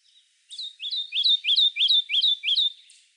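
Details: Rapid, rhythmic Kentucky Warbler song: about seven loud, ringing upslurred-then-falling notes repeated at a steady pace, like a chanted churry-churry. No other sounds.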